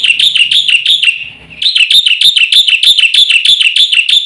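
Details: Black-winged myna delivering a fast, regular trill of bright, high notes at about three per second. The trill breaks briefly at mid-clip, then resumes just as evenly.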